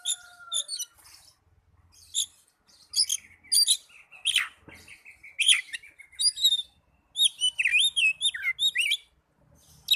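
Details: Oriental magpie-robin singing in a recording to bring young or silent birds into song: long run of varied chirps, trills and sweeping whistled notes, growing denser toward the end.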